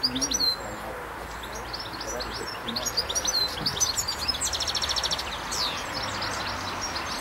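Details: A wild European goldfinch in France sings a fast, tinkling twitter of high notes mixed with buzzy trills, with a faint human voice and a low background hum.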